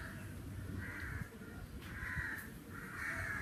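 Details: Crow calling in summer air, three harsh, drawn-out caws spaced about a second apart over a steady low hum of background noise.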